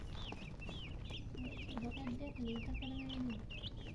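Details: Chicks give rapid, bright, slightly downslurred peeps, several per second, while a low steady droning tone runs underneath.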